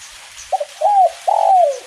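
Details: Spotted dove, kuk 1 song type, calling in gentle rain: a short doubled opening note, then an arched coo and a long, slowly falling coo, mellow and low-pitched. The background is quiet.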